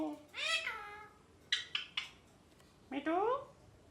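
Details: A pet parrot talking, saying 'Mithu Mithu' in nasal, speech-like calls: a drawn-out rising-then-falling note, three quick clipped syllables, then a rising, squawky phrase, in a quiet room.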